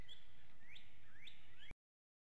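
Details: Bald eagle at a nest in Hanover, Pennsylvania, recorded by an infrared camera during the morning wake-up at 7:06 a.m.; thin, high whistled notes sweep upward, repeated about every half second, over faint background hiss.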